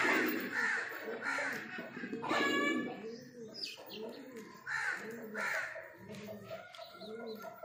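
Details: Pigeons of a breeding pair give low, arching coos repeated about every second in a steady rhythm, overlaid by louder, harsher calls from other birds nearby.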